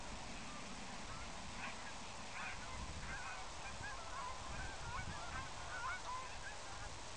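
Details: Whooper swan (Cygnus cygnus), call.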